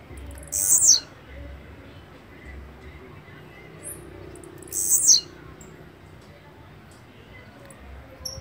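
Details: Song of Volatinia jacarina: two sharp, very high buzzy phrases with a downward slur, about four seconds apart. A brief faint high note falls in between, and the background is quiet.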